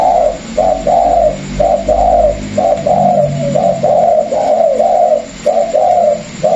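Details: Spotted dove, a pair of Vietnamese doves kept for decoy use, gives soft, hollow, mid-pitched coos in quick runs of about one to two notes a second, while a man talks in the background.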